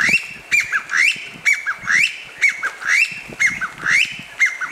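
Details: Chinese bamboo partridge giving a steady run of loud whistled phrases. Each pairs a short clipped note with an upslurred note, repeating roughly every second against a quiet background.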